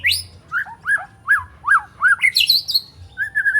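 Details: White-rumped shama, a spotted three-month-old, practising learned phrases and sharp shots; a series of evenly spaced slurred whistles about every half second, rising into shrill high notes, then a level whistle.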